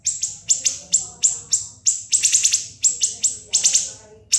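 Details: Sharp, long siri-siri song played to train cage birds: rapid high piercing chips, some single and some in quick clusters of three or four, almost without pause.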